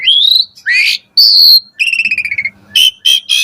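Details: Morning song of an Asian pied starling, used as a training recording for caged birds: upward-sweeping whistles, a sustained high whistle, a rapid stuttering run of notes, then three short loud bursts.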